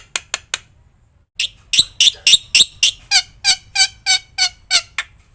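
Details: Black-winged myna training song full of varied phrases: a few scratchy notes, a pause, then a steady series of harsh, raspy squawks about four a second.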